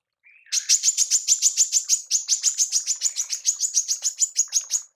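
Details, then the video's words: Manggar, a female bird used to teach songbirds, starting with a soft thin note, then breaking into a rapid, even run of piercing high chirps, roughly three per second. "TEMBAKAN MANGGAR BETINA"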